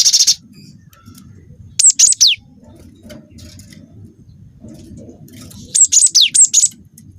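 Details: High, piercing whistled song of a young Wingko-type cinereous tit, used as a calling recording for other birds; a brief buzzy burst opens, then two phrases of quick notes with sliding descents, separated by quiet.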